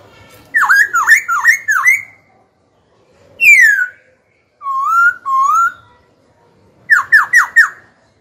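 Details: Young caged Black-throated laughingthrush singing to incite rival birds and teach young birds: a run of dipping notes, a loud falling whistle, two steady rising whistles, then another quick run of dipping notes.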